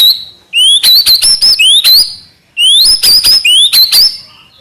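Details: White-rumped shama singing in the trotol style: two phrases, each opening with a loud, clear, rising whistle, then a fast burst of sharp, hard, clicking notes mixed with higher whistles. Background otherwise quiet.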